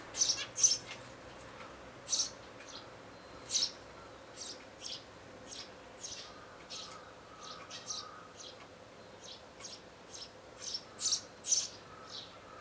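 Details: Eurasian tree sparrow chicks in the nest, a few hours before fledging, while parents tend and feed them, 12 May 2012: thin, high chirps in short irregular bursts, some doubled, over a steady low background hum.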